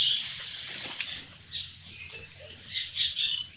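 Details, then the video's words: Chestnut-bellied nuthatch in Sattal, Uttarakhand, India, giving bright, high chirping notes in short bursts: a cluster at the start, a single note near the middle, then a quick run of sharp notes toward the end, over a faint natural background. "Chestnut-bellied Nuthatch Sound"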